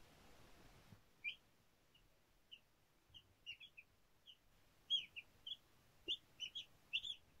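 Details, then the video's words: Baby chicks playing, giving short, high, thin peeps, single or in quick pairs, scattered irregularly and growing busier toward the end, after about a second of low rumbling background noise. "Baby Chicks Chirping Sounds cute playing 😍 Baby Chicken Sounds"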